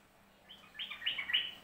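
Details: Yellow-vented bulbul of Central Java singing in the ropelan style: a brief, bubbly phrase of quick warbled notes that builds from a soft opening to louder, slurred chirps, over a quiet background.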